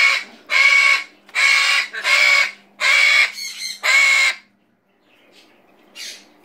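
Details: Pet zoo macaw giving five loud, harsh, raspy blood-curdling screams, each about half a second long and roughly one per second, then a softer final squawk, screaming for fun while eating apple.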